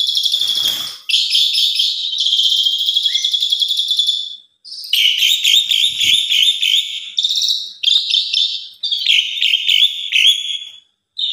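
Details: Asian pied starling in full lure song to make other starlings join in: long, dense runs of buzzy, rattling high notes broken by short pauses.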